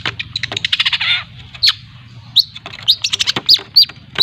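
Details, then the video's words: Long-tailed shrike (cendet) from Lampung learning to sing (ngriwik), used as a lure; fast scratchy twittering run, then separate short whistled upslurred notes with chattering between them. "Suara Pancingan Burung Cendet Belajar Ngriwik ‼️Cendet Lampung"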